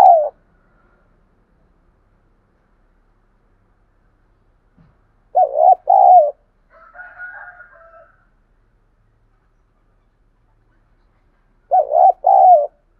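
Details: Spotted dove cooing to provoke a response and fighting from wild and decoy doves. Three two-part phrases come roughly every six seconds, and a softer, higher, buzzy call from another bird follows the middle phrase.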